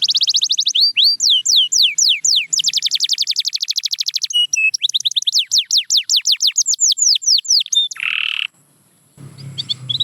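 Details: Canary song with rapid trills, looping descending whistles and a dense buzzy roll, ending in a brief harsher note, a near-silent pause and a soft low noise.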